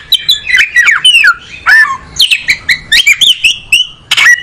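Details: Kacer, the oriental magpie-robin, singing a lively string of short whistled phrases, each a quick slur or chirp, repeated at a brisk pace with brief pauses between.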